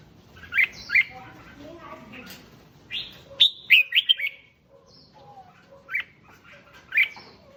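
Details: Red-whiskered bulbul song meant to excite other bulbuls, with loud whistled chirps and a quick run of warbled notes, followed by spaced single chirps and fainter background calls.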